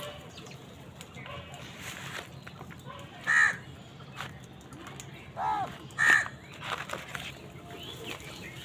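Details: Harsh crow caws come while crows fight wild birds for food: a loud caw, a quieter one two seconds later, then another loud caw, with faint chirps and noise between them.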